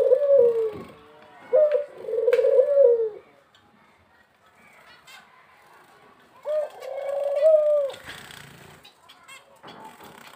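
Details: Male dove giving hollow coos: a short note, then a longer wavering one, a quiet gap of several seconds, then another long coo, with faint rustling between phrases.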